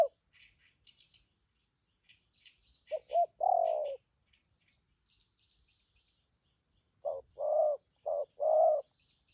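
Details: Spotted dove used for trapping, with strong cooing in the thổ, thúc gù and phóng rước styles: two bursts of low, mellow coos, short notes then a longer drawn-out coo, over faint high chirps of small birds.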